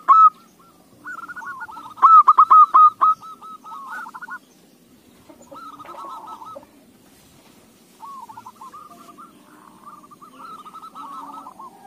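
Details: Zebra dove song played as a lure to make other doves sing: bursts of rapid, rolling cooing notes, loudest near two seconds, then softer overlapping phrases from more than one bird, with a faint low hum beneath.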